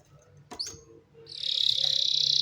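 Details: Canary singing: a couple of short sharp chips, then a sustained, very rapid high trill that swells in loudness, with faint low background hum.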